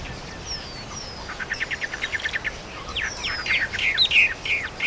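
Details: Several small birds of the countryside in chorus: thin falling whistles, then a quick series of short high chirps, followed by louder sweeping notes and clear chirps, with a faint outdoor hiss beneath.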